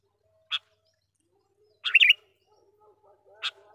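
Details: Sooty-headed bulbul, a lure sound for attracting wild birds: a brief sharp note, then a quick bubbly warbled phrase, then another short sharp note, over a quiet background.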